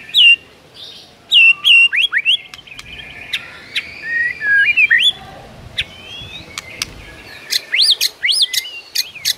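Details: Morning song of a white-rumped shama, varied rich fill-in: ringing looping whistles, a long wavering warble, sharp clicks and quick rising upslurred notes near the end.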